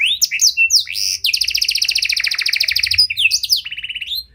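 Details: Panda canary in 'cengkok mewah' song style, meant to provoke and train other canaries. It opens with sharp whistled slurs, then a fast rattling trill of about two seconds, ending in a short lower buzzy roll.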